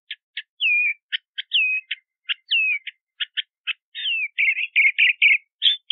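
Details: Crissal thrasher singing: sharp clicking notes interspersed with clear down-slurred whistles, then a quicker series of rough warbled chirps near the end; no other sounds.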